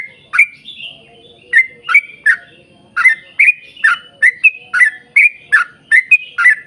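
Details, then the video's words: Lure song of a yellow-vented bulbul in the long 'ropel panjang' style meant to set other bulbuls singing; after a brief pause near the start, quick chortled chirps tumble out in a dense, uneven run. "trucukan gacor ROPEL PANJANG buat pancingan trucukan agar bunyi"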